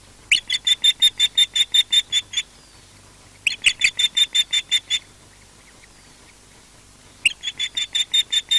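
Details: Osprey calling in defence of its nest at Loch Garten, Scotland: three bouts of rapid, high, whistled yelps, each about ten notes long and separated by short silences.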